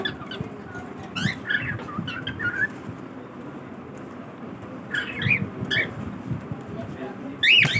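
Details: Cockatiel during its morning routine, giving short arched whistled calls with bright harmonics, scattered in small bursts across the recording and separated by quiet stretches, over steady low background rumble.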